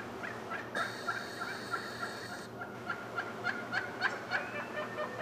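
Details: Morning flock of wild turkeys arriving as a male displays; rapid string of short, clipped rattling notes repeated about three to four per second, growing louder toward the end, with a brief high electronic whine early on.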